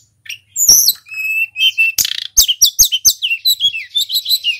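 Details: Lively local Hill Blue Flycatcher song, used to provoke other songbirds: high slurred whistles running into a long, fast string of bright, sharply falling twittered notes with a few clicks.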